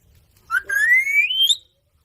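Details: Indian ringneck parrot on village ground gives one clear whistle lasting about a second, starting with a short note, then gliding steadily upward in pitch with a bright, ringing tone, in otherwise quiet surroundings.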